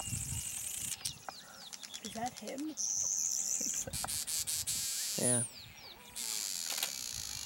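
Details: Nest-building Southern Masked Weaver at Pilanesberg National Park, South Africa, 7 January 2013, giving rapid clicking chatter and a harsh, steady high buzz, with squeaky chirps and a brief lower honking note in the background.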